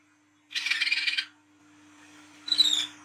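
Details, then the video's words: Olive-backed sunbird at night for luring young birds: a harsh, buzzy rattling burst of rapid pulses, a pause, then a brief high squeaky twitter. "KOLIBRI KELAPA WICEH TROTOL GACOR NGRIWIK NGLAGU MENTAL JAHAT/PANCINGAN KOLAP"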